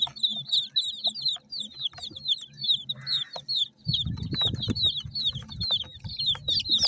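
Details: Multicoloured chicks at feed chirp steadily in high, thin peeps from many birds at once; midway a loud low rumbling thump of handling or movement breaks in before the peeping carries on.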